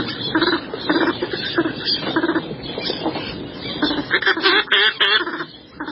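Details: Northern pintail (Anas acuta) giving short, nasal, chuckling notes, several per second, growing busier and more overlapping toward the end, with soft background noise.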